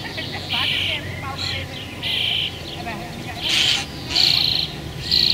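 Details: A common starling from a pair nesting in an apple tree next to a house gives harsh, buzzy, high-pitched bursts, each about half a second long, every second or so, with faint chirps and a low background rumble.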